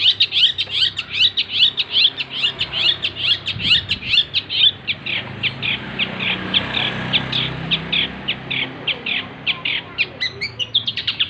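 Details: Long-tailed shrike singing a song packed with imitated phrases: a fast, continuous stream of sharp high chirps and trills repeated about twice a second throughout, with a faint low rumble behind.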